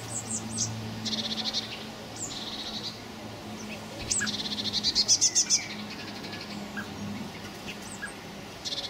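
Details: Common blackbird fledglings, 26 May 2018: a high, buzzy, rapidly pulsed series repeated in short runs, rising to a louder stuttering burst midway, over a low steady hum and scattered chirps.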